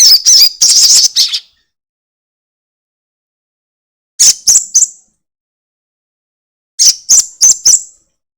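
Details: Crested jay lure recording with its 'ekek' call, meant to prompt untrained birds to call quickly: short, harsh, high chattering bursts of three to five notes, repeated after long silent gaps.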